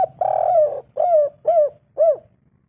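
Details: Spotted dove (tekukur) calling to lure wild doves, a loud, thick-voiced bird: one cooing phrase of a long drawn first note followed by three short arched coos, evenly spaced, in a quiet setting.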